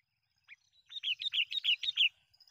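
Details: Sooty-headed bulbul lure call, used to draw in and provoke wild bulbuls: a quick run of bright, bubbly chirping notes, rising and falling, crowded into about one second after a single lead note. No other sounds.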